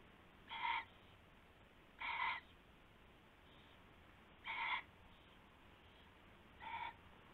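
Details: Owl at night, February 19, 2016, with a rabbit caught as prey being passed between birds; four brief rasping, harmonic calls spaced about two seconds apart over a constant low hum.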